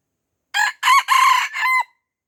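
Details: Crow of a red junglefowl in Aceh, hemmed in by young birds yet not fighting: four hoarse, rasping pulses in quick succession, the last one longer and steadier, set against silence.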